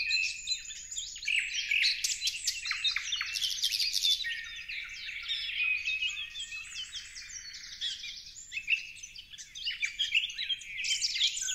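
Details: Parrots squawking together in a long unbroken stretch: coarse, buzzy screeches and choppy chirps from many birds, rising and falling in loudness, all high-pitched.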